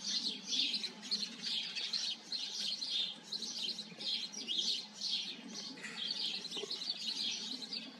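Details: Lively chirping of many house sparrows at a colony, clustered bursts of short high notes repeated roughly every half second, blending into one continuous chatter.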